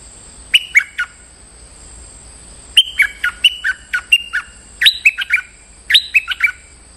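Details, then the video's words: Stripe-throated bulbul, used as a lure call to challenge a resident territorial bird, gives bright, bubbly bursts of two to four quick notes falling in pitch, about once a second, over a faint steady high whine. "Suara pikat merbah lekir gacor"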